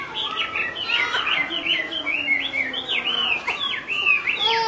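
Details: Chinese hwamei, a female calling on and on while the male is unsettled; a dense chain of looping, swooping whistles, each rising then dropping, repeated almost without gaps.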